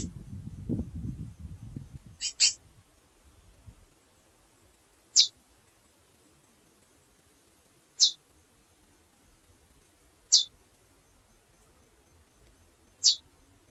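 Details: Female chestnut-bellied seed finch calling: a quick double chip followed by single sharp, very high, short notes spaced roughly every two to three seconds in a quiet setting, with brief low noise at the start.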